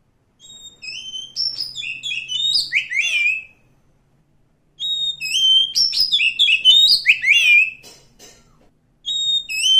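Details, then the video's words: Wild oriental magpie-robin in forest: two long phrases of loud, clear whistles and rapid slurred notes separated by a brief pause, then a third phrase begins. "suara asli kacer hutan"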